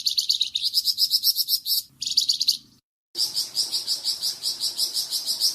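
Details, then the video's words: Varied Flamboyan bird song, used as a tutor for cucak ijo and magpie robin: fast, continuous high trills of pulsed chirps, broken by a brief silence, then resuming steadily. "Suara variasi burung flamboyan untuk masteran cucak ijo dan murai batu"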